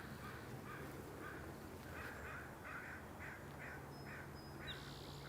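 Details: A distant crow at a marsh early in the morning during breeding season gives a steady run of about nine harsh, hoarse caws, roughly two per second, over low rumbling background noise and a thin high whistle near the end.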